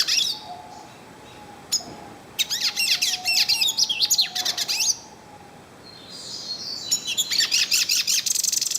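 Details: Singing in nature, a yellow-faced siskin delivers bursts of rapid high chirps and sliding whistles, then a buzzy wheezing phrase leading into fast twittering; quiet low whistles from another bird run underneath.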